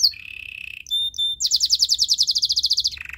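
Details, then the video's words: A canary's training song: a sliding whistle dropping to a held lower tone, two pure piping notes, then a fast even buzzy trill lasting over a second before fading into a low rolling phrase. "The best canary sounds!! Canary training"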